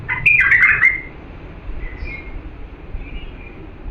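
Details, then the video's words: Diyala bulbul, an authentic singer used for teaching chicks, opens with a loud, liquid warbled phrase under one second, followed by faint, thin whistles over low hum. "تغريد بلبل ديالى الاصيل لتخريج الافراخ بدون اخطاء صوت صافي"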